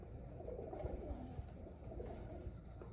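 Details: Pigeons said to be content give a brief stretch of soft, low overlapping coos, muffled and murmuring, ending in a sudden knock.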